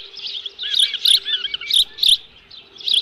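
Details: Midday 11 July 2018 at the Dunrovin Ranch osprey nest, with a live fish: a few loud, sharp whistled chirps spaced by brief pauses, some strongly emphasized, over a faint constant hum.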